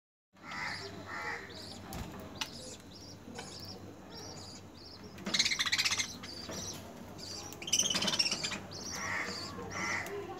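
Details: Budgerigar chicks being fed by their mother give rapid, harsh, buzzy begging cries in bursts.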